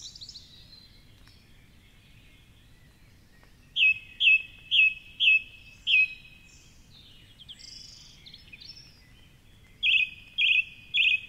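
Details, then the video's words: At 4:45am in darkness by the Curragheen River, Cork City, a song thrush singing from a tall treetop perch repeats a clear ringing note five times, then a fresh phrase three times, over rain-like hiss and faint higher bird notes. "Dawn Chorus with Song Thrush"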